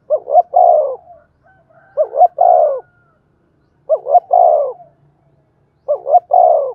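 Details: Spotted dove cooing in the thổ đồng voice to stimulate wild-caught doves to coo: four phrases about two seconds apart, each two short rising notes then a longer, descending, hoarse coo, in a quiet background.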